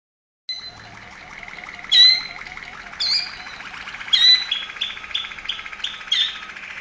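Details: Waterslager Malinois canary from Veliko Gradiste, Serbia, singing: after a low rapid rolling trill, a series of bright liquid water-like notes rise in bursts roughly every second over a continuous bubbling undertone.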